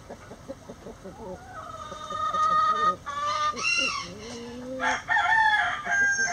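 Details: Rooster crowing before dawn as the flock flies out of the coop. Busy clucks and calls lead into a strained, rising-then-falling crow, with a second harsh crow close behind and more hens calling.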